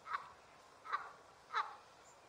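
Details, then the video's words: Canada goose giving three short, nasal honks spaced under a second apart against a soft background hiss. "Canada Goose Sounds"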